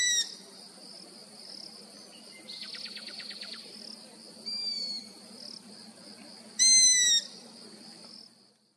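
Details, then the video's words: Young long-eared owl in Abruzzo, Italy: a thin squeaky call near the middle, then a louder, drawn-out harsh squeal with rich overtones near the end, over steady high insect chirring and a brief rapid ticking series early on. "versi del giovane Gufo comune"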